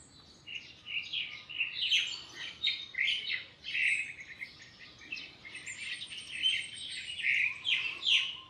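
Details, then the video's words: One of two crested mynas in the area mimics other birds, thought to be mostly juvenile yellow-vented bulbuls, pouring out a varied, chattering stream of whistles, squeaks and mimicked notes that change every second or so. "A Crested Myna Mimicking Other Birds"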